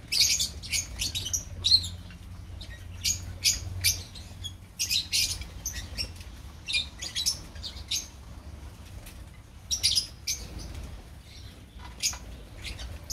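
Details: Steady chatter from a colony of opaline lovebirds, with many short, piercing chirps and squeaks repeated irregularly throughout, several birds calling at once.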